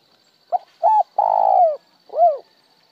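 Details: Spotted dove calling in the một hậu lỡ manner: two brief soft notes, a long buzzy coo that drops at the end, then a final rising-and-falling arched coo after a short pause. Little else is audible.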